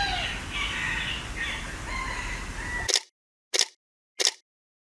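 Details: Green peafowl recorded in 2022 with a Sony A7IV. Several short, nasal, honking calls run for about three seconds, then stop abruptly, followed by three sharp camera-shutter clicks in silence.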